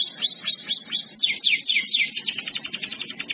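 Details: Canary singing as a tutor song for other canaries: a run of arched, swooping whistles, then a fast trill of rapid repeated high notes with a faint low murmur beneath.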